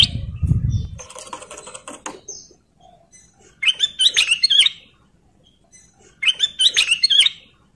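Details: A male sooty-headed bulbul in breeding condition sings to call a female; after an opening of low rumbling and rustling noise, two separate phrases of quick, warbled, slurred whistles follow.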